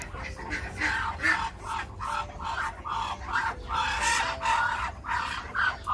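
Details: Duck calls: a run of loud, nasal quacks, some rougher and longer, repeated at an uneven pace of roughly two to three a second, with a faint background hum.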